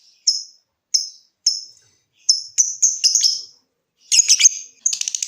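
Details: Lovebird ticking song: single high, sharp tick notes repeated roughly every half second, quickening into clustered chirps and ending in a harsh buzzy chatter.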